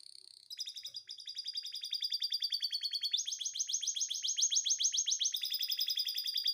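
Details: Canary in breeding condition sings a long, high, rapid trill, the repeated notes shifting through several steady tours, the loudness building as the song goes on.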